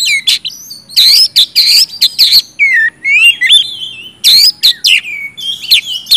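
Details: Oriental magpie-robin (kacer) in loud, full 'gacor ngeplong' song, used to stimulate silent birds to sing; loud harsh buzzy bursts alternate with clear whistled slurs, some rising then falling, in quick varied phrases.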